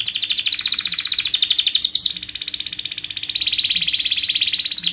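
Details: Canary performing a continuous tight roll, a pattern played so young canaries can learn it: a rapid pulsing trill, slightly wavering in pitch, with no breaks for five seconds.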